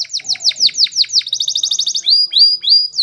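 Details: Canary singing a Spanish Timbrado training song: repeated descending whistled sweeps accelerating into a fast rattling trill, followed by three spaced rising-then-falling whistles.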